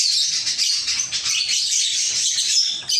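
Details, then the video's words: Caged lovebirds in a small aviary give steady, dense, high-pitched chatter, many piercing squeaky chirps overlapping without pause for the whole three seconds. "Love Birds Chirping Sounds"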